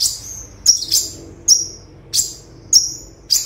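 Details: Olive-backed sunbird (konin) song in the rapid 'tembakan' style, used as a tutor recording for training birds: sharp, very high chipping notes with short sweeps, repeated irregularly about every half second over quiet background.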